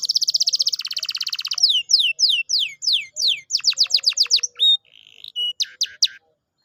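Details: Canary song used to coax a lazy canary into singing: rapid buzzy trill, then a series of descending whistled sweeps and sharp repeated notes, ending with brief high whistles.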